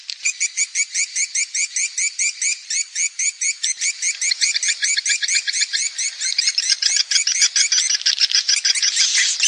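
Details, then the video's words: Swiftlets in a lure recording of calling and roosting sounds used by Indonesian swiftlet farmers to draw birds into roost houses: rapid, even series of high chirped twitters, about two per second, steady throughout. "SUARA PANGGIL DAN INAP BURUNG WALET RESPON TERBAIK"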